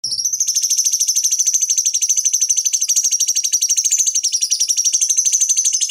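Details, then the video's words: Cucak cungkok bulbul song used as a master recording to train and stimulate fighting birds: a continuous high, rapid chattering trill of evenly repeated buzzy notes, about three per second, steady throughout with no other sounds. "Masteran Pancingan Cucak Cungkok Ampuh Untuk Terapi Dan Masteran Burung Petarung"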